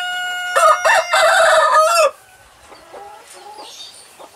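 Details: A rooster gives one loud, harsh crow lasting about a second and a half, rising then held and dropping at the end, followed by quiet background clucks.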